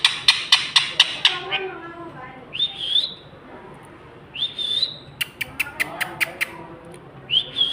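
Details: Ring-necked parakeet, said to be talking, giving a series of sharp clicking chips followed by short rising whistles near the top of its range, repeated in bursts with quiet gaps.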